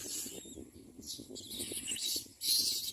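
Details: Common myna chicks beg as adults bring food, with harsh, hissing rasps in bursts of about half a second, growing louder toward the end, over a soft low rumble.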